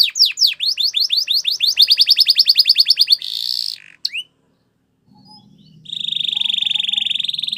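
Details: Training song of a Spanish Timbrado canary: a quick series of falling whistles accelerating into a pulsing trill, a buzzy note, a short pause, then a long sustained rolling trill with faint low background hum.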